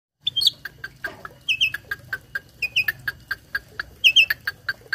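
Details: Tame captive starling singing a song packed with mimicked sounds, used as a tutor recording for other birds: short whistled notes near the top mixed with a steady train of low clicky pulses repeated several times a second.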